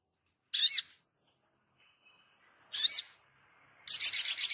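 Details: Actively singing Sogon, recorded as a tutor track for songbirds: two squeaky, looping high chirps about two seconds apart, then a quick stuttering buzzy trill.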